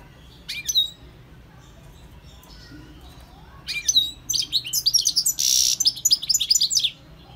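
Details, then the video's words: European goldfinch from the wild: a couple of isolated high chirps, a quiet gap of about three seconds, then a lively burst of rapid twittering with one harsh buzzy note in the middle. "GOLDFINCH SINGING"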